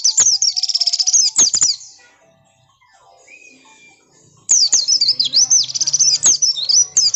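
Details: An oriental white-eye gives a squeaky, rapid twittering phrase, falls silent for about two seconds, then bursts into a longer warbling, swooping trill. The high-pitched song is intended to provoke other birds to answer.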